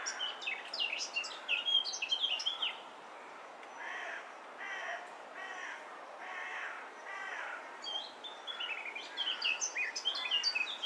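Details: A male Eurasian blackcap, tatty from feeding chicks, sings in a chestnut tree: rapid, varied, high warbling phrases at the start and end, with about five harsh, rasping, crow-like calls in quick succession between them.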